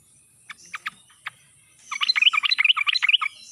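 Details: Sooty-headed bulbul with a wild-sounding song used as a lure for quiet birds: four scattered single whistled notes, then a fast, bubbling run of chattering phrases lasting over a second.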